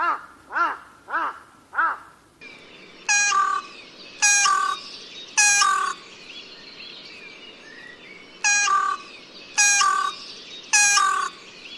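A Carrion Crow gives three quick, nasal caws, then two runs of three harsh, hoarse caws about a second apart, over faint outdoor background noise.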